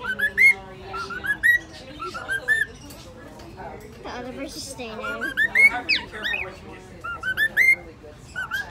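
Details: Cockatiel singing the Addams Family theme, with short whistled phrases of rising notes in bursts separated by pauses, accompanied by lower chattering sounds between phrases.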